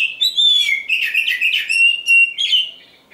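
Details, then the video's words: Oriental magpie-robin, a champion kacer, delivering a dense burst of song: clear sweeping whistles mixed with rapid chattering trills and buzzy notes, continuous and loud throughout, ending with a softer fading note. "suara burung kacer juara"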